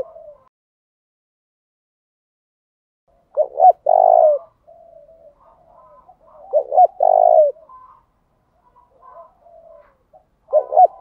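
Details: Spotted dove acting as a lure to provoke rival singing. After a quiet start, two full phrases of short paired notes and a drawn-out mellow coo, with faint background coos and a third phrase beginning.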